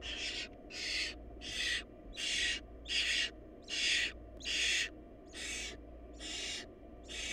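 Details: Barn owl nestlings in a hungry family where the smallest chick starved, giving about ten rasping, breathy hisses in quick, fairly even succession, each under half a second, with a constant low background hum.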